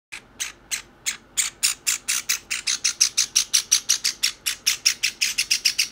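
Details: Two pet Java sparrow chicks, one white and one pied, begging food from each other instead of feeding themselves: harsh, high, raspy notes repeated rapidly, about three per second, building into a steady insistent chatter.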